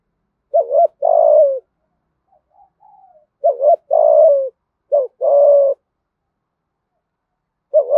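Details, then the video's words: Decoy-style spotted dove coo known in Vietnamese as 'gáy thúc gù'. Phrases of two or three short notes plus a long, slightly falling coo come in quick succession. Soft low coos fill the gaps, and another phrase begins at the end. "เสียงนกเขาใหญ่ ต่อเข้าเร็วที่สุด, cu gáy thúc gù"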